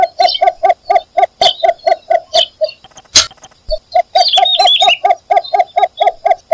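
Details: Repeated low, hollow clucking notes from a cinnamon bittern, evenly paced at roughly two per second with a short break midway; high chirping of small birds and a steady thin whine in the background.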